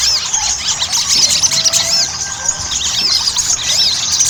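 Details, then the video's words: Chattering song of Ruby-cheeked sunbird, played to make birds sing quickly: crowded high squeaks, arched whistles and fast chips, with a few faint longer tones underneath. "PANCINGAN SOGON AGAR CEPAT GACOR"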